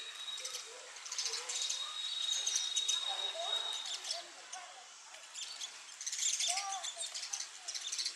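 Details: Sparrow fighting its mirror image as if defending territory from an opponent: fast, sharp chirps in two dense bursts with a short lull between, plus a thin steady high tone and faint lower slurred notes.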